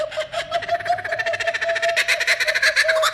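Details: A male Laughing Kookaburra (Australian species; blue plumage marks him as male) gives its raucous laugh on cue: a rapid run of harsh, chuckling notes that grows louder and wilder over about three seconds, with a steady low hum beneath.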